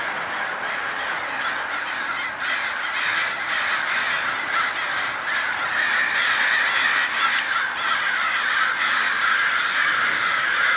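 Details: A huge group of crows swarms and dives as day breaks, calling nonstop. Overlapping hoarse caws form an unbroken clamour that grows slightly louder in the second half.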